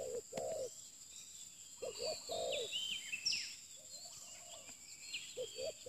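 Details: Sparse low coos of a spotted dove (new bird, pikat luring) separated by gaps, with a busy chorus of higher chirping and whistling birds filling the pauses.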